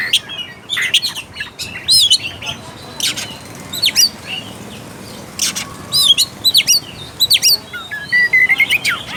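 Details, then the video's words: Oriental magpie-robin singing in spaced phrases, meant to stimulate arousal and aggression in a reluctant singer: sharp up-and-down whistles and clicks separated by short gaps, ending with a steadier thin trill. "PANCINGAN AMPUH UNTUK KACER MALAS BUNYI DAN KURANG FIGHTER."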